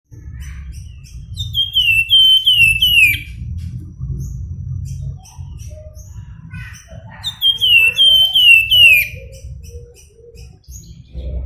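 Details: Javan Fulvetta, an endemic Javan bird, singing in the flute-like nyuling style: two bursts of high, clear whistled notes, each slurring downward and run together in quick descending series, separated by a quiet pause with soft low rumble beneath.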